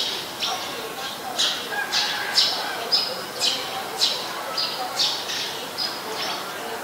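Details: Eurasian tree sparrow (Passer montanus), common resident bird of Ubon Ratchathani, Thailand, taped 10 May 2020, giving repeated clipped high chirps roughly twice a second, with faint lower tones beneath.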